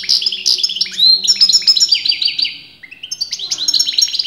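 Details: Goldfinch song, from a bird whose sex big breeders could not agree on: hurried sequence of clear, tinkling notes and downslurred whistles, a short gap, then another sparkling flourish.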